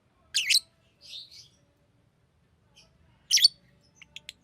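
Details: Green lovebird calling: two loud, piercing, rasping chirps separated by a pause, a softer warbling note between them, and a few tiny clicks near the end.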